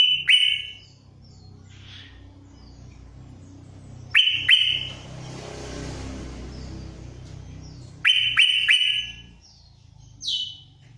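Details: Sooty-headed bulbul in full 'isian' song, giving short bright whistled phrases of two to four sharp notes, repeated about every four seconds, with a softer chirp between and a low background rumble.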